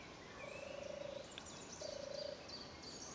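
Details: European turtle dove at Ruardean Hill on 2 June 2012, giving two low, rolling purrs, each under a second long, with a short pause between; faint high bird chirps in the background.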